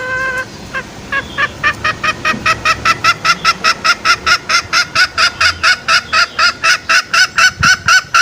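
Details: Green junglefowl lure call used in the forest to draw male junglefowl out for snaring: a long, steady run of short, honking, nasal notes, roughly two per second, growing louder toward the end.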